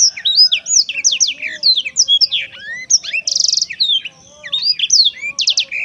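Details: Black-throated canary delivering a lively song of quick whistled slurs and chips, broken by a rapid rattling trill midway and another near the end.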